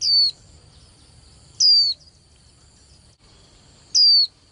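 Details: Young female white-eye calling, a sound played to stir male birds into more vigorous singing contests; three sharp, high whistled notes slurring steeply downward, about a second and a half apart, over a faint steady high whine.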